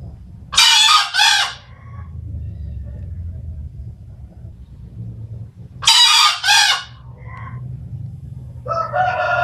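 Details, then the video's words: Green junglefowl gives two short, hoarse, two-part screechy crows about five seconds apart; a nearby Bangkok rooster then spontaneously starts crowing in reply, like a crowing contest. "Suara ayam hutan hijau berkokok VS Ayam Bangkok berkokok"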